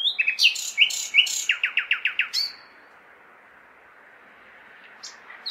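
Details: Nightingale song from a city at night in May, a few loud chirped notes leading into a rapid descending series of about seven repeated notes, then silence and a brief phrase at the end; distant urban drone.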